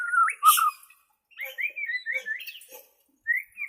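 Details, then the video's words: Natural voice of a Bornean white-rumped shama, played to teach captive shamas: a loud whistled phrase with a harsh burst, a short pause, then a run of rising and falling whistles and a final upslurred note. "SUARA ASLI BURUNG MURAI BORNEO"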